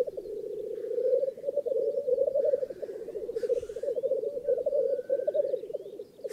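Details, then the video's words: At a black grouse lek in northern England, males keep up a steady low, bubbling, dove-like rookooing chorus, broken by a couple of short harsh hissing sneezes. "Black Grouse Lek"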